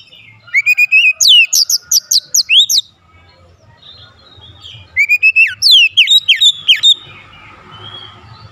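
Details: White-rumped shama song played as a lure to stir other shamas into singing: two bursts of rapid, loud, high slurred whistles, each starting with a rising note, separated by a quiet pause with faint background rumble.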